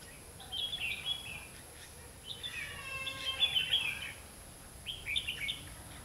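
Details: Red-whiskered bulbul used as a decoy at a trap, singing competitively to lure wild birds: short bright warbled phrases in bursts, with quiet gaps between, plus faint voices.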